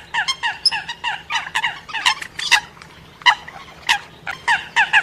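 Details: Eurasian coots and moorhens in a mixed call: a rapid run of short, nasal, clucking notes, some sharper and higher, repeated in quick bursts.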